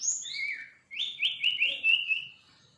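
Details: Young sirpu bird learning its song: a descending slurred whistle, a brief pause, then a long stuttering phrase of rising whistled notes that fades out.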